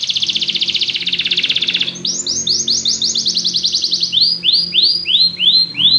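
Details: Canary singing at length: a dense buzzing trill for two seconds, then rapid repeated descending whistled notes shifting through several tempos, loud and continuous.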